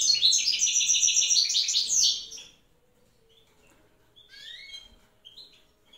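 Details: Wild European goldfinch singing at evening while its mate incubates eggs: two seconds of loud, rapid tinkling twitter, then quiet except for a few soft high chirps near the end.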